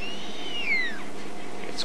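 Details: Verreaux's eagle owl, also called giant eagle owl, calling while mobbed by other birds at Djuma, South Africa, on 31 March 2008; a drawn-out whistled note slowly falling in pitch, described as a hungry cry, over steady background hiss.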